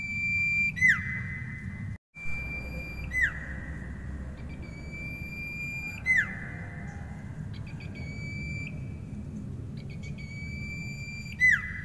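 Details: Energetic common iora song: a series of long sustained whistles, each closing with a sharp falling slur, spaced a few seconds apart, with brief clicks between and a constant low hum.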